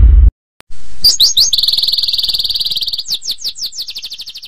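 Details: A caged Greater green leafbird sings at midday at a kiosk in Pramuka bird market, East Jakarta: a high, buzzy note held for about two seconds, then a run of quick repeated chirps, after a dull thump.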